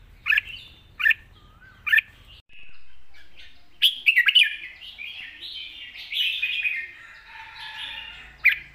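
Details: A red-whiskered bulbul sings a long song, light and wild in style, mixing song with chatter: three evenly spaced sharp notes, then a longer tumbling warble with a soft trailing whistle.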